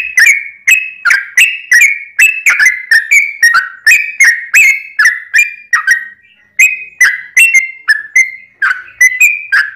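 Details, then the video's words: Trucukan, the yellow-vented bulbul, in a lengthy provoking song for other birds: crisp, fluty whistled phrases repeated in a fast chain, each note sliding downward, with one brief break midway. "trucukan gacor ROPEL PANJANG buat pancingan trucukan agar bunyi"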